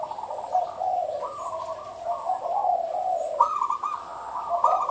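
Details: A zebra dove gives a derak-style song of soft, rapid, trilling coos in a steady run, dipping then rising, with a louder burst near the end over a faint background hiss.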